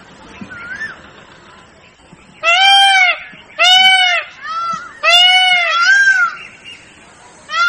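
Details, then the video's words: Peacock calls begin after quiet background: a series of loud, nasal, harmonic-rich wailing notes, some long and some short, arched in pitch, with a softer call early on. "Peacock flying and peacock sound"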